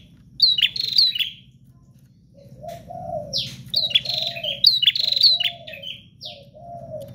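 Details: Bar-winged prinia singing intensely and nonstop, sharp high chirped phrases in quick bursts, a lower warbling sound between them and a steady low hum underneath.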